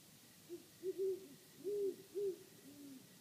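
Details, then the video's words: Great horned owls calling: a series of deep, soft hoots, short ones followed by longer drawn-out notes, about six in three seconds with a lower, fainter hoot at the end; quiet background otherwise. "Great Horned Owls Calling"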